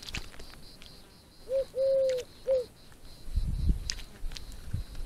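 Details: Common wood pigeon giving three soft, low hollow coos: a short note, a longer drawn-out one, then another short note, all at an even low pitch. Faint high twittering of other birds runs behind, with some rustling and thumps afterwards.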